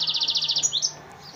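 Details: F1 hybrid of African singer and Mozambique serin, kept as a cage bird in Souk Ahras, Algeria, singing a fast high trill of about eleven rapid repeated notes followed by two brief rising whistled notes.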